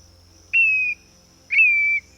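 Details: A Black-bellied Plover, a migratory summer bird of northern Canada, gives two plaintive whistles, each about half a second long, high and slightly falling at the end, spaced a second apart.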